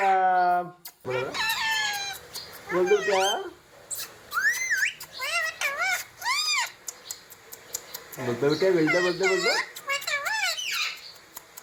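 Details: Pet ringneck parrot indoors repeating words like "mummy" and "papa": arched, rising-and-falling harmonic squawks in quick bursts, with a lower voice-like phrase at the start and brief pauses between utterances.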